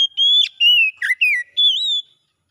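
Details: Oriental magpie-robin singing a recovery song meant to get a silent bird singing again: sustained whistles gliding downward, a quick dipping note, then a rising and falling whistle ending the phrase.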